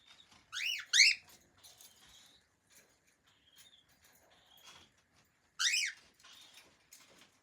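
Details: Pet cockatiel, one of a friendly family of cockatiels, giving loud, harsh, rising-and-falling chirps: two close together near the start and one more later. Soft scratchy rustles and faint squeaks fill the quiet between.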